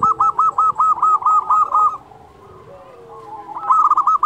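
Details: Actively singing local zebra dove, used as a training song and lure for other doves: a rapid run of about ten clipped, ringing coos, then a quiet pause with faint lower sounds before a fresh burst begins.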